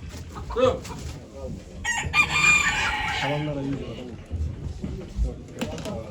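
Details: Rooster at a 2023 poultry auction in Ankara: one loud, bright crow stretches for about a second in the middle, set among scattered clucks, crowd chatter and indoor clatter.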